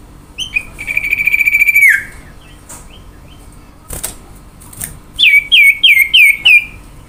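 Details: Lure song of a common iora: a sustained rattling trill ending in a downward slur, then a quick series of five bright whistles that each drop and rise, with scattered clicks between.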